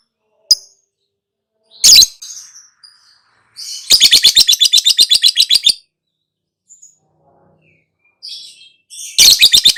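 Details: Lovebird ngekek chatter: scattered sharp chirps, then a fast rattling trill of some twenty harsh notes lasting nearly two seconds, followed by soft twitters and another rattling burst at the end.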